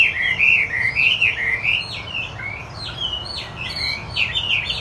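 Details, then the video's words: Chinese hwamei singing energetically: rich, warbling whistled phrases with rolling up-and-down slurs, briefly softer in the middle before the loud, varied whistling resumes; faint low background hum. "Hwamie Wambi Putih Gacor"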